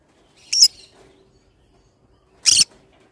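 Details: A pineapple-colour green-cheeked conure (Pyrrhura molinae) gives two short, harsh, scratchy squawks about two seconds apart, with near silence in between.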